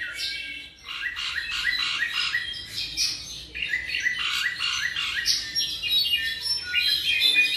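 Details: Tropical mockingbird roughly seven months old repeating short phrases in quick series, each note a sharp rising-then-falling chirp, several per second, mixed with higher bright squeaks.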